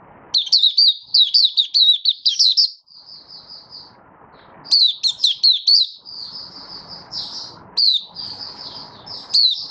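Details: Malaysian white-eye in the bird hobby singing, 27 February 2023: clustered sharp high chirps alternating with longer smooth whistled notes, against a faint low background hum.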